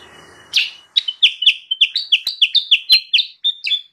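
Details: Sooty-headed bulbul lure recording for wild birds: after a short hiss, a bouncy series of paired chirps, alternating higher and lower, about three per second.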